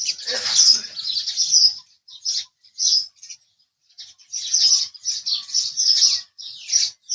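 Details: Rapid house sparrow chatter opens the recording, followed by scattered short chirps, a quiet gap, then a renewed run of high twittering notes.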